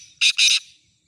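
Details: Black francolin offered for sale uttering two loud harsh rasping notes in quick succession, the second longer, recorded close with a silent background.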